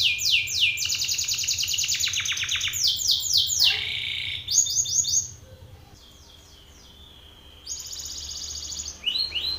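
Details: Belgian canary male singing at a rival male: loud rapid trills of high downslurred notes and a brief buzzy phrase, then a few seconds of near silence before the trilling resumes softly.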